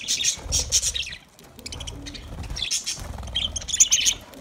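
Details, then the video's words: Budgerigars giving bursts of sharp, high, squeaky chirps, a short lull, then renewed rapid twittering with a few piercing notes at the end. "Budgies parrot awaz"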